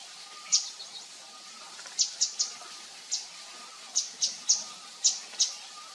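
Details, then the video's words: Wild Javan fulvetta from Javan mountain forest above 1,000 m; a loose series of high, sharp, clipped chip notes, singles and pairs, scattered irregularly over six seconds with a faint steady background hum. "Burung Wergan Jawa/Burung Flamboyan(Javan fulvetta)Di Alam Liar"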